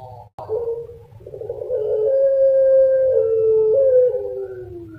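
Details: A captive puter pelung dove (Streptopelia risoria) from Java, Indonesia, gives a brief opening note, then one long, drawn-out coo lasting over three seconds, steady in pitch, wavering slightly and sinking at the end.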